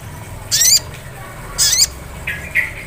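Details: Sunbird lure in ngleper style, meant to make another sunbird start ngriwik singing: two sharp, buzzy, very high bursts followed by two softer, shorter chips.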